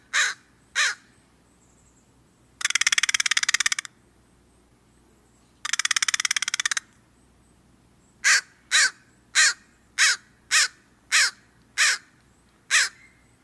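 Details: American Crow: two harsh caws, then two dry, rapid rattles of about a second each (the rattle call), followed by eight higher caws about every half second; the higher pitch is typical where American and northwestern crows interbreed.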